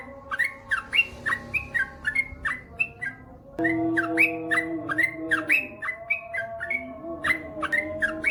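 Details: Yellow-vented bulbul in the long-rolling 'ropel panjang' style: a chain of mellow, fluty whistled phrases, paired rising and falling notes, over noticeable low humming tones that swell midway.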